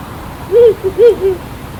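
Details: A Ural Owl in Nagano Prefecture, Japan gives four low, soft hoots in under a second, long-short-long-short, against a faint steady hiss.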